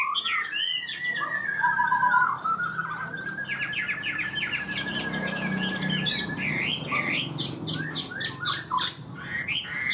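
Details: Chinese hwamei kept as a cage bird, singing 'cao cầu' style: a long drawn-out whistled slide, then bursts of quick varied warbled phrases over soft background hiss.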